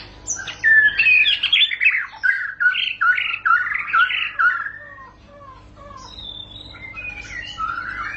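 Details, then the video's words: White-rumped shama in long rolling ngerol song: a rapid string of loud, fluty and buzzy phrases for about five seconds, then fainter drawn-out whistles and sliding notes. "para raja murai batu ngerol panjang"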